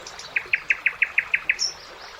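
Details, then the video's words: Common nightingale singing in summer beside a river: a run of eight evenly spaced, sharp chipping notes, about six per second, then a thin high whistle, over a soft background hiss. "Magical Nightingale Singing"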